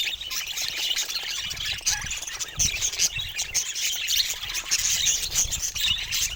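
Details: Budgerigars keep up continuous squeaky warbling: quick high chirps and scratchy twitters packed tightly together, with occasional louder peaks and a soft low hum.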